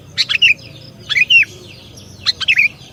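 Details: Sooty-headed bulbul lure for trapping: three short phrases, each a sharp chip followed by a clear, downward-slurred whistled note, about one phrase per second.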